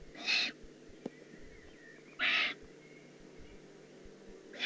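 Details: Juvenile Eurasian eagle-owl, Eifel, 18 June 2016: loud hoarse hissing rasps about two seconds apart, the third cut off at the end, with one sharp click in between and a steady low hum.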